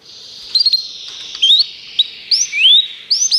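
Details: Canary song used as a training recording for canaries: scattered short high chirps and rising whistled notes over a faint steady high hiss, with brief gaps between phrases.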